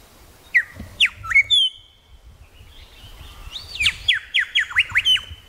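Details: Grey shrike-thrush in Tasmania: a few sharp down-slurred notes and a long steady whistle, then a rapid series of about seven loud descending whistled notes.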